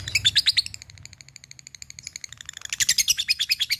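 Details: Labet challenging an opponent with 'ngetik ngekek' calls: a harsh opening burst, then a long, softer string of even high ticks that swells again into loud, rapid chatter at the end.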